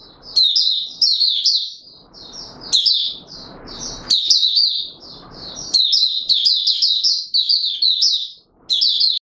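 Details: Oriental white-eye in courtship mode pouring out long runs of high, rapid twittering and warbling phrases, with intermittent low background rumble between bursts.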